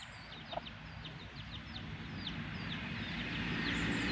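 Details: Black hen with her chicks: a steady stream of thin, high, downslurred peeps from the chicks, many per second, with a single low cluck near the start over a constant low rumble of background noise.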